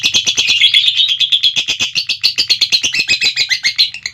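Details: Lovebird singing its long ngekek trill: a fast, unbroken stream of sharp chattering notes, roughly six per second, held for the whole four seconds with a faint low hum beneath.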